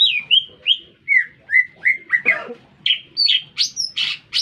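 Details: Lesser green leafbird in full song in an urban setting. Clear whistled notes slur downward one after another, then break into harsher, rasping bursts and rising high chirps.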